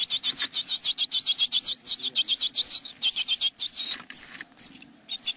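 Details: Great tits in a nest box, 29 April 2017: a rapid, regular series of high, shrill buzzing call bursts, several per second, then a few thin sliding notes, over a low hum.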